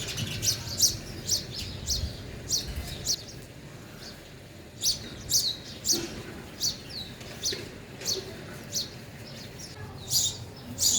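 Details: Feeding sparrows at a feeder give short, bright chirps, clustered at first, then spaced singly about every half second to one second, with faint low background hum.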